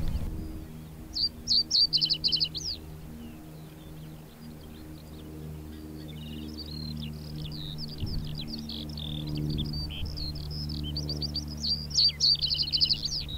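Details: Male common reed bunting singing territorial song from bushes/reed beds at Higham Marshes, Kent, England: short jangly phrases of quick high notes ending in a brief flourish, repeated after pauses, over a steady low hum.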